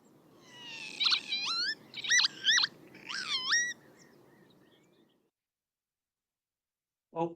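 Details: Northern lapwing, also called green plover or peewit, played as a call example in a talk on the New Forest where lapwings are struggling: three wheezy, slurred 'pee-wit' calls about a second apart, each swooping up then down; low hum, brief click.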